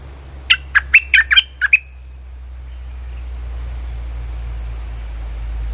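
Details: Streak-eared bulbul trapping lure: one lively run of about seven short, chirpy notes in under two seconds. Afterwards only a low, rising background hiss is heard.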